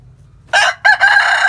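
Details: Countryside chicken crowing at morning: after a quiet start, a brassy crow begins with a short burst, then a brief break, then a long sustained harsh note with a faint low hum beneath.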